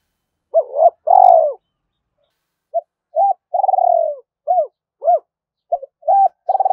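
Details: Spotted dove giving urging and calling coos to draw wild doves to a trap: a double note and a long coo, then a string of short clipped coo notes and another drawn-out coo in quick irregular succession.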